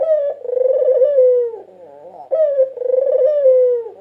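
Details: National champion white dove from 2022, recorded as a lure for catching birds, gives two deep drawn-out coos, each opening with a sharp accent, then a throbbing sustained tone sliding gently downward.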